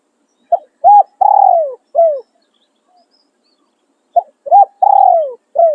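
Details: Spotted dove decoy bird crowing khan riak and khan yon: two complete phrases, each a clipped coo, a rounded arched coo, a long quavering coo sliding down, and a short falling note, about two seconds apart.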